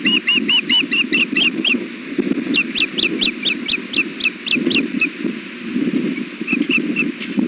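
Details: Alert calls from a male osprey brooding on a windy day at the Hellgate nest, 1 pm, 3 July 2016: a rapid run of ringing whistled chirps, a pause, a longer evenly spaced series, then a few final notes amid wind buffeting.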